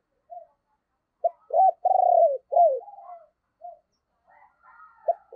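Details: Decoy spotted dove with a deep 'thunder' voice style, calling to lure wild birds: short soft coo notes lead into a loud, burry, rolling coo and falling slurred coos, then quieter notes, against a silent background.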